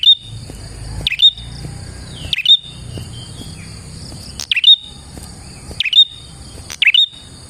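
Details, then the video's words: Prinia singing as a lure for other prinias: loud high notes dipping and then rising sharply, in irregular bursts one to two seconds apart, with a steady high insect-like ringing behind. "KICAU BURUNG PRENJAK GACOR ini Manjur untuk PIKAT PRENJAK dan PANCINGAN PRENJAK KLAWU"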